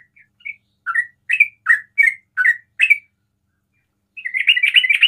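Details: 'Ropel' song of a sooty-headed bulbul used to bait other bulbuls into calling; evenly spaced bubbly downslurred notes, roughly two per second, then after a pause a fast chattering burst.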